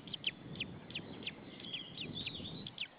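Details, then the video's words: Lone white-tailed eagle nestling at a Saunja, Estonia nest, 26 April 2013, afternoon, after a parent left. Soft high downslurred peeps come several per second, with low rumbling background noise. "The baby is alone and tjirping"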